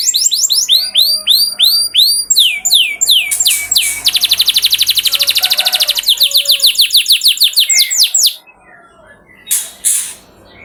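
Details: Canary singing as a training lure to make other canaries sing: rapid series of downward-sweeping whistled notes, a long dense buzzy trill, and rolling chirped phrases, then a quieter ending with a few faint bursts.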